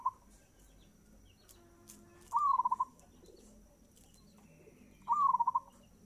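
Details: Zebra dove in fast-tempo song, a gacor bird: two bright cooing phrases about three seconds apart, each a quick rising note followed by rapid pulsed beats, with faint rustling and background hum between.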